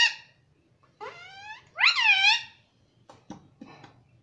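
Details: Indoor pet parrot speaking "mummy": a brief squawk, then a rising harmonic phrase followed by a louder arched, drawn-out syllable, ending with soft clicks and short muffled noises.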